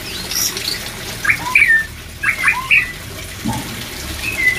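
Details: White-rumped shama song used in breeding-drive therapy: sparse, short bright chirps and small slurred whistles in brief groups, separated by quiet gaps, with a faint low thump.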